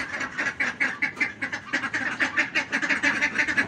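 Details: Several domestic ducks quack loudly and nonstop, harsh nasal calls overlapping at four or five per second, hungry and thirsty; they were offered banana and mango but would not eat it.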